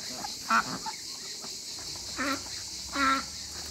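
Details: African geese kept in a backyard alongside other waterbirds; three loud, nasal, harmonic-rich honks ring out at irregular intervals, separated by quieter faint calls, over a steady high-pitched hiss.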